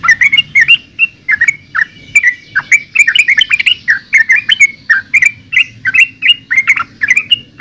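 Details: Song of the yellow-vented bulbul, locally trucukan: rhythmic, bubbling whistled phrases of short swooping notes, delivered almost without pause for several seconds, with a low background hum.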